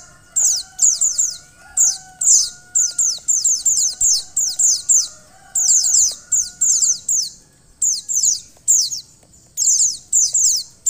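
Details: A female white-eye, used to excite a male into singing, gives rapid bursts of thin, very high chirps, each a quick descending twitter, about every half second, over a faint steady hum.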